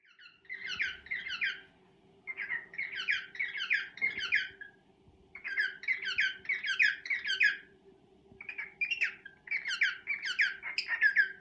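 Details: Male cockatiel serenading a female indoors: four bursts of quick, chirpy warbled notes, each lasting about two seconds with short pauses between, over a steady low electrical hum.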